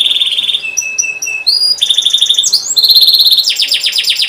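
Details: Singing canary, a training lure for young birds: a high rattling trill, then spaced flat whistled notes, a sharp upward sweep, and dense buzzy trills that grow louder toward the end.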